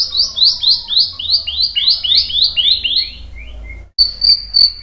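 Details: White-rumped shama lure song for drawing replies from other birds: a rapid series of high, falling whistled notes that grows fainter, then a short gap and more high notes.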